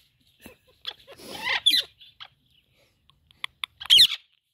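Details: Talking Indian ringneck parakeet chattering in broken, scratchy syllables, a rough buzzy stretch in the middle and a loud bright squawk near the end, otherwise quiet.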